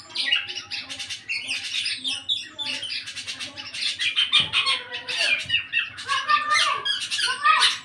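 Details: Eight-month-old black-naped oriole starting to sing fully, giving nearly eight seconds of busy, rasping chatter interspersed with short rising and falling whistles.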